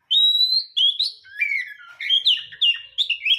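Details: Oriental magpie-robin kept at home delivers a rapid, unbroken run of rich whistles, a long steady high note, then slurred rising and falling phrases mixed with brief chattering notes, clear and loud throughout.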